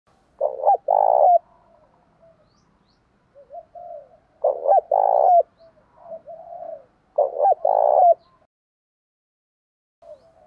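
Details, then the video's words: Spotted dove calls, male and female, used to stimulate kept doves into calling: three loud, throaty double-coo phrases about every three seconds, each a short coo then a longer rolling one, with softer low coos in between. "tiếng chim cu gáy kích bổi hiệu quả hàng ngày"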